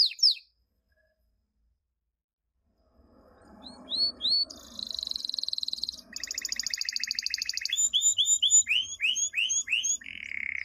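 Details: Canary song from a 2016 recording for training chicks. A brief slur is followed by a pause, then soft chatter builds into buzzy and rattling trills and a series of upswept whistles, ending in a rolled note.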